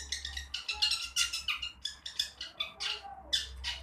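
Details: Young long-tailed shrike practising its song, a dense stream of rasping, scratchy chatter notes packed closely together and repeated rapidly, over a steady low background hum.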